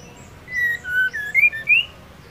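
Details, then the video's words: Female white-rumped shama calling to arouse and provoke the male: a quick run of five clear whistled notes, steady then stepping upward, the last one highest, over a quiet background. "Murai batu betina gacor untuk pendongrak emosi jantan agar gacor"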